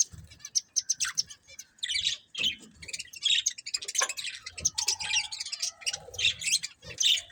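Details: Continuous chatter from a breeding pair of budgerigars: fast, high, buzzy warbling mixed with sharp chirps and clicks, barely pausing across the whole stretch.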